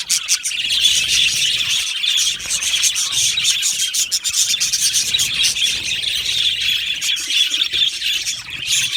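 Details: Budgerigar aviary colony, continuous twittering and chirping from a crowd of birds, rapid high notes layered over each other.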